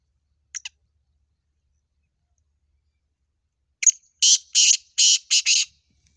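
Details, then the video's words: Black francolin 'double awaz' (double call): two brief high notes at the start, a pause of about three seconds, then a sharp note and five grating, buzzy, closely spaced bursts. Quiet background. "Double Awaz Kala Teetar"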